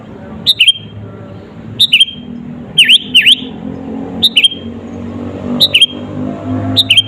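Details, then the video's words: Sooty-headed bulbul singing in lively bursts to rile rivals: a sharp high chirp then swooping downslurred notes, phrases repeated roughly every one to one and a half seconds over low traffic-like rumble. "SUARA BURUNG KUTILANG GACOR ASLI TAMPA ISIAN..,!!!pancinga kutilang bikin lawan emosi"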